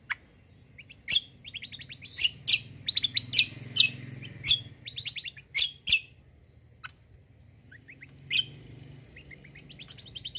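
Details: White-eye (kecial) lure song meant to draw answers from other birds: scattered bursts of quick, high twittering notes and sharp clicks, separated by pauses, over a soft low hum.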